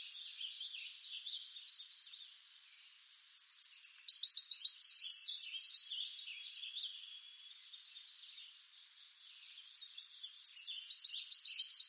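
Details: Eastern North American Tennessee warbler singing. Faint high twittering comes first, then a loud run of sharp, high chips accelerating into a rattling trill. A second song starts near the end.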